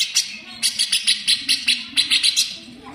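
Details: Grey-cheeked bulbul, a cage bird, giving fast, harsh, sharp besetan rattles used as a training model for greater green leafbirds: a single dry burst, then about a dozen rapid buzzy notes in tight bursts, with a low hum underneath.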